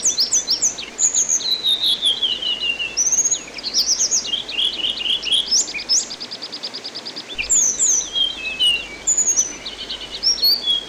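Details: Orange-headed thrush singing on a songbird training recording: rich medley of descending whistles, sharp chirps and rapid repeated notes, one long even trill, and continual lively phrasing.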